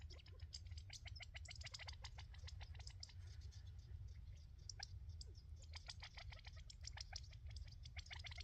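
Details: At Rancho Sierra Vista, quail give quick, sharp chips and ticks in loose, irregular bursts, several at once, over a steady low rumble of wind or distant traffic.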